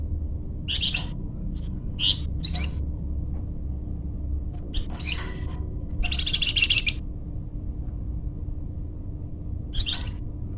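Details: Flamboyan bird sounding off in energetic form, for luring and training birds: widely spaced sharp high chirps and one buzzy chattering phrase about a second long, over a low hum.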